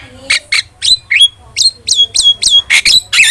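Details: Starling song used as a lure and master recording for training birds: a rapid run of short, varied notes, some buzzy and some with sharp whistled downslurs, about three per second, with a faint low hum underneath.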